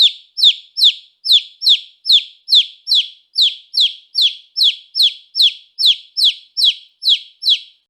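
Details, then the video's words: Baby chick chirping: high, bright, downward-slurred peeps repeated steadily, a little more than two per second, each note clean and short against a silent background. "Baby Chick Chirping Sound Effect"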